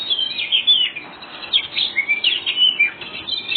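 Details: Kacer dada putih, the white-rumped shama, delivering lively ngobra-style song meant to make other birds reply; dense string of sharp whistled and scratchy notes, rising and falling quickly, over constant hiss.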